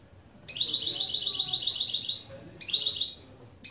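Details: Opening song phrases from a goldfinch-canary hybrid (mule), used as a lesson: a fast even trill of high notes lasting about two seconds, then a second trill starting after a pause.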